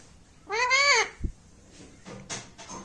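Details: Talking parrot kept as a pet giving a single drawn-out harmonic, slightly arched utterance of about half a second, followed by a soft click and faint room sounds.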